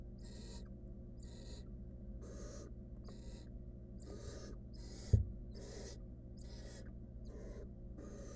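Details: Wild barn owl nestling in a monitored nest box, trying to eat a stolen rodent alone: rasping hissy screeches, about 0.4 seconds each, repeated roughly every second over a low steady hum.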